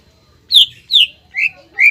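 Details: Greater green leafbird song used to prompt other leafbirds to sing: four clear whistled notes, the first two higher and falling, the last two lower and rising, evenly spaced after a short silence.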